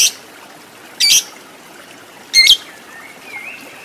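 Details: Lovebird in a training recording aimed at long ngekek chatter: three separate short, rasping, high squawks spaced over a few seconds, with a faint thin whistle trailing near the end and soft background hiss.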